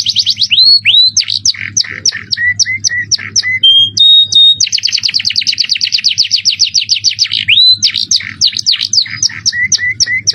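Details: Shrill jerih-voiced canary in ornate cengkok mewah style, used as a training master: fast chattering trills, short repeated mid-pitched chips, two pure held whistles, then a long rolling trill and rising slurs, with a constant low hum behind.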